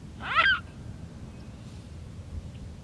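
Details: A Mute swan makes one brief, nasal, harmonic call with a rising and falling inflection. Low background rumble follows through the rest of the recording.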